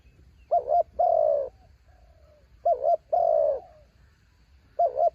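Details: Calling against strong wind to pull in wild birds, a spotted dove decoy sings a clean sequence. A doubled hoot leads into a drawn-out, softly falling coo, and the pattern repeats. A faint quiet coo sits between phrases, over a calm background.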